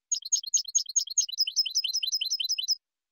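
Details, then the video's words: European goldfinch singing, recorded for the Spanish silvestrismo hobby of training finches: sharp clipped high notes repeated rapidly, then a smoother run of slurred, downward-bending twitters, ending abruptly; clean background. "CD DE JILGUERO Nº 1"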